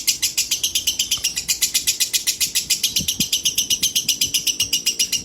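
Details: Female lovebird at sunset chattering in quick, evenly spaced high chirps, nearly four per second, with a couple of soft low knocks in the background.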